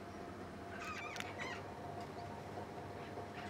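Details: Pink cockatoos, an endangered species, visiting a waterpoint, giving two rough, wavering screeches in close succession over a constant low hum and hiss.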